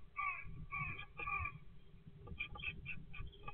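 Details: Great tit at a nesting box on 20 February 2024: three harsh, harmonic notes, each sliding slightly downward, in the first second and a half, followed by a looser run of shorter clipped notes. A steady low hum sits underneath.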